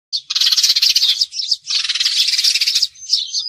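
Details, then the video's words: Sparrow calls used as a lure for glue traps: dense, fast chirping chatter in two long bursts with a short pause between them, bright and busy, ending in a few thinner notes. "Tiếng chim sẻ chuẩn cho bẫy keo"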